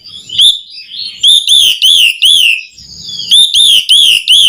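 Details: Asian pied starling in vigorous gacor song, used as a lure for other birds: loud, clear whistled notes arching up and down, repeated in rapid bursts with brief pauses between phrases.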